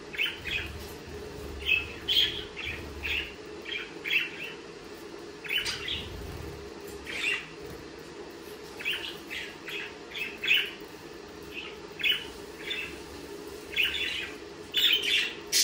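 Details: Budgerigars calling with short, bright, squeaky chirps, repeated one after another at uneven intervals over a soft constant hum.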